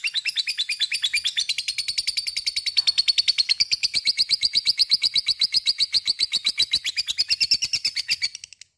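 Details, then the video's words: Lovebird ngekek song used to trigger singing in other lovebirds: an unbroken, shrill trill of quick pulsed chirps, steady and fast, growing slightly louder before stopping abruptly. "Sekali denger LOVE BIRD akan trpancing untuk ikut ngekek fighter dan gacor"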